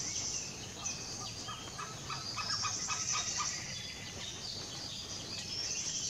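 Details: Many Malabar pied hornbills at Ratnagiri in the Western Ghats give harsh, rapid cackling notes in bursts, several birds overlapping, over a steady high insect hiss.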